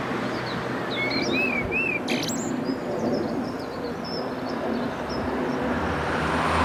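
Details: A common blackbird in England, singing while perched on a fence post, gives a few low, fluting warbled notes, then a thin high twitter, over a steady rumble of traffic.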